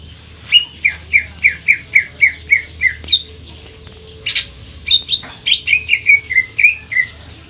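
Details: Greater green leafbird singing actively with cililin-style phrases: a clear series of short, slightly falling whistled notes about three per second, a sharp click, then a louder rising note leading into another descending whistled run.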